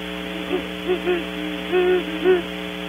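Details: Great horned owls lingering by a barn owl nest box at Audubon Starr Ranch, California, after scaring off the male barn owl's visitor, recorded by nest camera. A series of low, soft hoots includes one longer drawn-out note, over a steady electrical hum.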